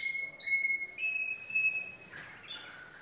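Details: Yellow domestic canary song fragment: thin, pure whistled notes held steady for about a second each, rising slightly in steps, then giving way to a lower, rougher rolling trill.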